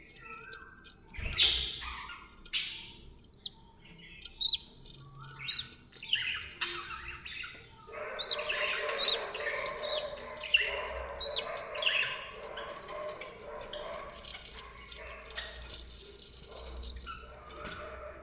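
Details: Budgerigars (Melopsittacus undulatus) from an aviary breeding pair setup chatter with sharp chirps and squawks, then a dense, scratchy warble of overlapping voices.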